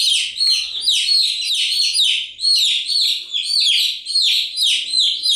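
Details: Continuous chirping from many chicks, piercing descending peeps packed almost without break into a steady, busy chorus.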